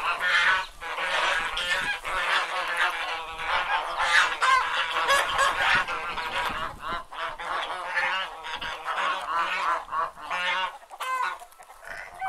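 Domestic geese honk loudly and continuously, several birds calling over one another in harsh, nasal, overlapping bursts with no steady rhythm.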